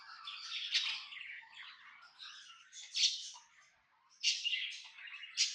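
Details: Chattering warble from a happy tame budgie kept as a pet: rapid mixed chirps and raspy squeaks in uneven bursts, a short pause around four seconds, then louder bright squeaks resuming.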